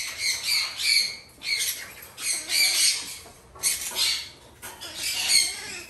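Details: Three female hand-fed red-shouldered macaw chicks, captive-bred, give harsh, raspy squawks in overlapping bursts about once a second, several birds calling together.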